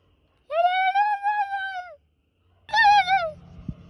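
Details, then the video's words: Turkey kept as a pet, talking in response to its owner's noises: a long, steady, nasal whine over a second, then a shorter wavering one followed by a low rumble and a click. "Making noises to get my turkey to talk!"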